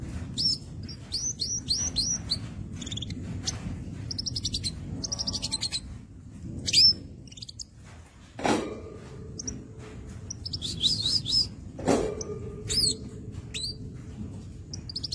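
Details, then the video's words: A Crimson sunbird in full song gives rapid, thin, high twittering bursts in quick succession, with two sharp knocks and a low background hum. "sogok ontong gacor"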